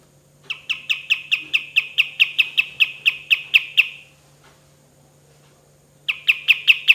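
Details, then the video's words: Kapas tembak, the olive-winged bulbul, singing actively for a training recording: a fast string of about fifteen short clipped notes at steady mid-high pitch, a pause of two seconds, then the string resumes; faint hum beneath. "KAPAS TEMBAK GACOR SUARA DAN TEMBAKAN MEWAH"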